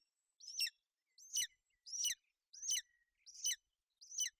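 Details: Golden eagle female covering her chick on the nest in Bucovina during inclement weather, 28 May 2021; a short series of six high, ringing descending chirps at a steady pace.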